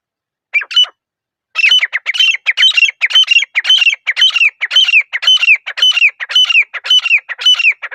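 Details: Repeated shrill calls of a grey francolin echo through a quiet forest: one opening note, a pause, then a steady, rhythmic series of ringing three-syllable phrases at roughly two per second. Background is otherwise silent.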